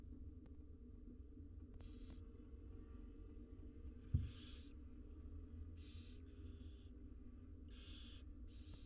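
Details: Wild barn owl nestlings, six in a monitored nest box, beg during feeding: rasping hissed bursts, sometimes doubled, spaced one to two seconds apart over a low hum, with a single sharp knock midway.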